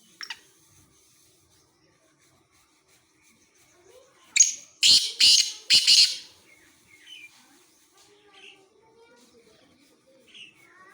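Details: Black francolin at Khushab sings a single harsh phrase of four scratchy, rasping notes midway, surrounded by quiet stretches with a few faint distant chirps and clicks.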